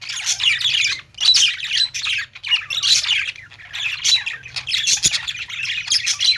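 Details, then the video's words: A flock of budgies singing in a pet store: rhythmic surges of grating chatter and squeaky chirps roughly every second, with a soft low mechanical hum beneath. "budgies singing | parakeet chirping sounds in pet store"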